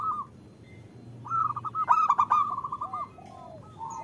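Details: Female local zebra dove calling a male. After a faint opening coo, a strong trilled phrase of fast, clipped notes rises, then softer descending slurred coos trail off, with a brief coo at the close.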